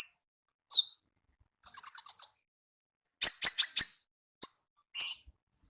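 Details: Konin in lively wild-style song, recorded in natural wild surroundings: short bursts of very high, thin chirps, including a fast stuttering run and sharp, squeaky notes separated by brief pauses.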